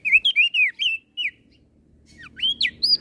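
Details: Singing crested white-eye from Flores, provoking rival birds: a rapid chain of sweet, wavering whistles, a brief gap, then sharp rising and falling whistled notes resume.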